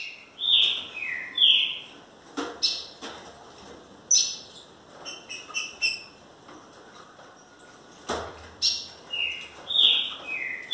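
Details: Green-winged Saltator giving repeated clear downslurred whistles in pairs, interspersed with sharp high notes, over steady background hiss and occasional clicks and knocks.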